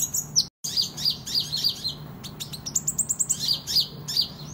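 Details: Sunbird (kolibri ninja) singing hard, suited for competition and tutoring: dense high chirping with repeated down-slurred notes and a fast run of rising ticks, briefly cut by a moment of silence, over a low hum.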